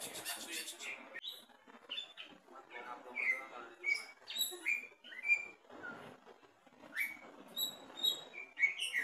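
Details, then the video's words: Greater green leafbird, caged and tested at the bottom of the cage, singing scattered sharp whistles and sliding notes at an uneven pace, with raspy passages and quiet background noise in between. "Tes mental cucak ijo di bawah gacor!!!"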